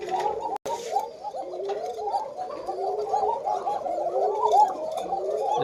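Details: Pair of black Koka pigeons on a farm, described as very thin-voiced, cooing once their chicks were removed; a continuous bubbling, throaty rumble of repeated coo phrases with a brief sharp break early on.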